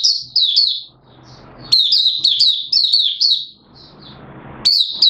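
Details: Malaysian white-eye (mata puteh) from the bird-keeping hobby, starting to sing in warm, humid Singapore weather with sudden showers, 29 March 2023. High, thin, rapid twittering phrases of quick slurred notes come in three bursts with brief pauses, over faint low background hum.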